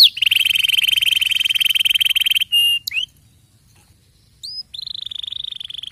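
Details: Canary song with a long uniform rattling trill lasting over two seconds, a short sharp upswept note, a pause, then a brief high whistle and another steady trill.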